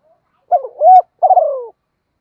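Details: Spotted dove singing the Thổ voice style while calling and challenging: a broken, rising coo ending in a steady held note, followed by a fast fluttering coo that glides downward; the phrase stops before its final note.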